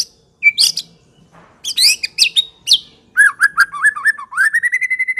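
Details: Medan-type white-rumped shama giving a clear lure song: a sharp whistle, scratchy high bursts, then a quick series of mellow up-and-down notes that end in an even repeated trill.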